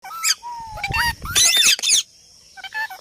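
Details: Parrot talking and making sounds: a clear rising whistle, then a harsh, noisy burst of squawks, followed by short broken chattering notes after a brief quiet pause.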